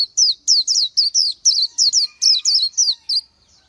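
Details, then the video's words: Oriental white-eye giving a short burst of high, slurred, descending squeaks in quick succession, ending in silence. "Chim hót hay Vành Khuyên họng vàng đông dương | นกแว่นตาขาวสีทอง| Oriental White-eye"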